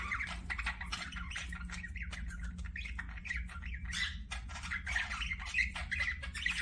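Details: Softer, more distant budgerigar chatter: thin whistled chirps and short warbled notes over a low background hum.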